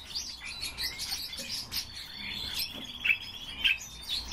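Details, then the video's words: Captive pet male common starling sings on cue for its owner: a jumble of squeaky chirps, clicks and thin mostly high-pitched whistles, with a couple of sharper notes near the end. "Sturnus vulgaris- СКВОРЕЦ"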